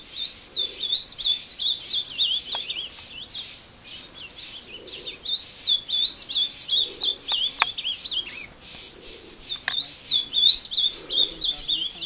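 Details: In woods near Passos, Brazil, a captive ultramarine grosbeak sings aggressively against a wild rival. Bursts of sweet, sliding whistles come in phrases of a few seconds, separated by short pauses, over soft background noise.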